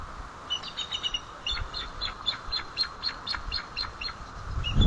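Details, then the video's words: Mother eagle at the nest with chicks, standing up to give alerts at 9:12 am on 25 April 2012 at White Rock: a rapid series of thin, high, chippering notes repeated about four times a second over steady wind rumble. "Mom Up Alerts!"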